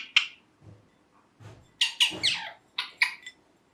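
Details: Green ringneck parrot kept as a pet, giving scattered harsh chirps and a rapid burst of raspy squawks, with soft low thumps in the room between calls.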